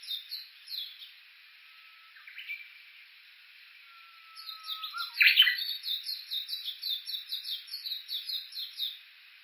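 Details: Japanese bush warbler at Kuka, Suo-Oshima, Japan, on a walking path at the foot of Mount Yakushi, recorded with an Olympus Voice-Trek V-82. Two long low steady whistles, then a loud abrupt burst leading into quick high notes repeated many times.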